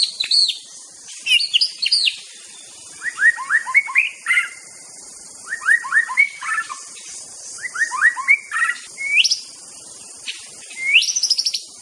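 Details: White-rumped shama from Aceh singing master song in repeated phrases: quick descending runs of whistled notes, each phrase separated by brief silence, ending with rising sweeps.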